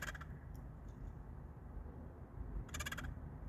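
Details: Workplace crows, regular daily visitors, make an unusual call never heard from them before: two brief raspy pulsed bursts separated by a pause of over two seconds, over constant low rumbling background noise.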